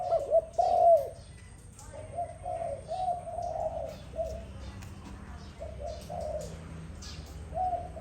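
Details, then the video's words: Dove in the morning: two loud, low coos open the sequence, followed by softer, rolling coos strung together with short breaks until the end. "Sweet sound of dove in the morning"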